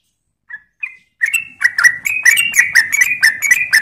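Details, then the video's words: A sooty-headed bulbul from Klaten gives a lively lure song: two soft opening notes, then a fast run of bright, chattering phrases repeated about twice a second, with no other sounds. "Ropel Gacor Pancingan Burung Trucuk"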